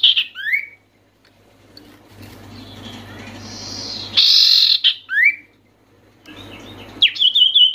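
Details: A vocal Oriental white-eye meant to provoke lazy white-eyes into calling: high whistled notes with descending slurs, a harsh buzzy burst in the middle, then a steady thin trill, with a low hum between phrases.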